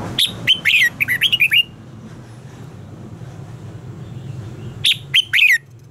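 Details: Contest-style song of a red-whiskered bulbul, meant for training birds to sing: a rapid burst of about eight sharp whistled notes, a long pause with low humming background, then a second shorter burst of four notes.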